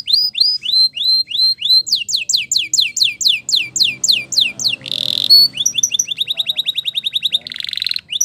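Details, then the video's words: Spanish Timbrado canary training song opening with evenly spaced downslurred whistles, speeding into rapid falling chips, a short buzzy burst, then a long fast trill of ringing notes. "The Best Canary Training Song"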